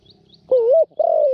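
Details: New decoy Spotted dove with a small voice, used to lure wild doves into a trap enclosure, uttering a smooth rising coo followed by a long level coo that fades downward.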